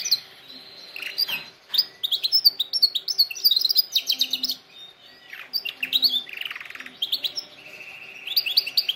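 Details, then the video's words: Singing canary for training young canaries, delivering rapid chattering trills and sliding whistles, high and bright, in bursts separated by short gaps, ending on a steady held whistled tour. "canary singing best video to training canaries birds"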